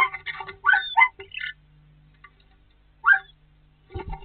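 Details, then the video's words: Two starlings or more disputing a nest hole on a snowy 22 March 2019: grating, squawky bursts mixed with short whistles, a pause, then one more harsh squawk and a final rattle. "Скворцы опять поспорили за жилье"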